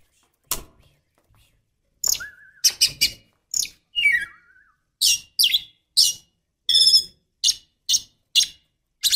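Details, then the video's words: Female oriental magpie-robin baiting a male into calling: sharp clicking chirps and buzzy notes in irregular bursts, broken by a few short sliding whistles. "Pancingan kacer betina"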